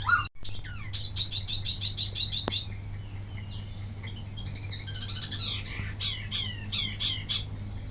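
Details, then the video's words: Caged wambi mini singing, recorded as a master for other birds to learn from: a rapid run of about ten sharp, evenly spaced high notes, then varied chirps, slurred whistles and twittering phrases over a low electrical hum. "suara asli wambi mini tembakan mantap buat masteran"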